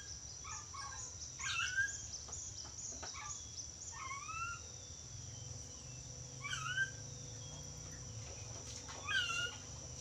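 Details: Yellow-crested cockatoo, described as clever at talking, giving scattered short rising and falling harmonic voice sounds in several bursts, with a steady low hum and a faint high whine throughout.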